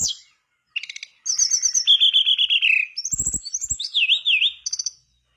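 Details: Lively mangrove blue flycatcher song played to prompt other birds of its kind to sing: chattering bursts, long sweet whistles sliding downward, then rising notes and wavy slurred phrases, with a few soft thumps.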